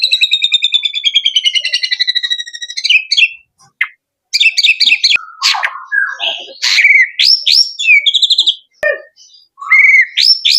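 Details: Male white-rumped shama opens with a long fast stuttering trill, then breaks into loud varied phrases of clear whistles, rising slurs and sharp clicks, with brief silent gaps between bursts.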